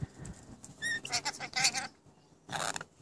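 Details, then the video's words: Pet rainbow lorikeets talking, owner hears phrases like "What's for dinner": short, raspy bursts mixed with a few clear whistled notes, rising and falling over about three seconds. "Rainbow Lorikeets talking like crazy"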